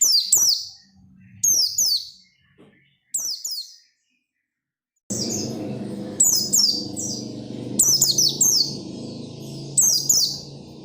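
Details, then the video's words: Oriental white-eye delivering steady song to get other white-eyes singing: short bursts of high, downslurred twittering notes roughly every second and a half, a brief silent gap, then continued bursts over a low droning hum. "SUARA PELECI GACOR NGOTOT BIKIN PELECI LAIN RAJIN BUNYI BUKA PARUH"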